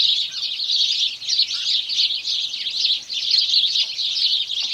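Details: Chorus of house sparrows: many birds chirping at once in a dense, continuous high-pitched chatter that swells and dips in loudness roughly every second, with no other clear sounds.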